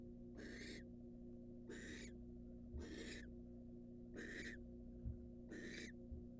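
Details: Incubating wild barn owl in a monitored nest box gives five breathy, rasping hisses at about one-second intervals, with faint knocks and a continuous low hum.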